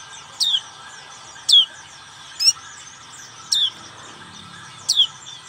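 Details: Ngriwik song of a black-capped white-eye, five piercing downslurred chirps spaced about one second apart, high and clean over a quiet, humming background.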